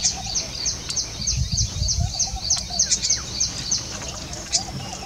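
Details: A pair of little green bee-eaters perched on a branch in Jhalana, watching for insect prey, give high thin chirps in quick succession, about three a second, over a low background rumble.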